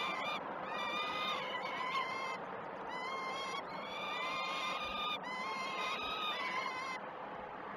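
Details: Great Spirit Bluff peregrine falcon chicks begging at one of the day's first feeds, 12 June 2018, recorded by a live nest cam; harsh, drawn-out calls repeated in runs of one to two seconds.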